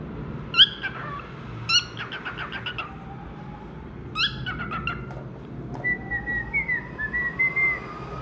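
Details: Cockatiel singing and chirping: short sharp chirps and stacked buzzy trills, then a run of clear whistled notes, some rising, repeated in a musical phrase, over a steady low background hum.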